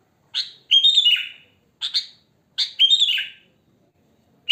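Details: Sooty-headed bulbul in the wild giving clear, bubbly song phrases: each begins with a short sharp note, then a warbled, falling flourish. The pattern repeats twice in quiet surroundings.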